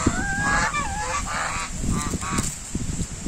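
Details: White domestic geese giving rapid, overlapping nasal honks and rising squawks, busy and continuous, over low rumbling thumps and a constant background hiss.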